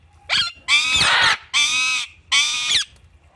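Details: Alexandrine parakeets kept as pets alongside Indian ringneck parrots, playing with palm tree fronds; a short squeak, then three loud, harsh, rasping screams, each about half a second long, with brief pauses between them.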